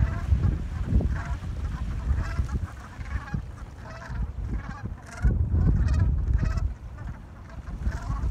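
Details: Before sunrise in New England, a gathering of gulls keeps up a busy exchange of nasal, wavering cries in quick irregular succession, louder in a burst midway, over a deep rumbling background.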